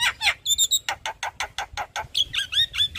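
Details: Javan myna in full daytime song in front of a house: fast harsh chattering notes repeated several times a second, giving way to clear whistled slurred phrases at the end.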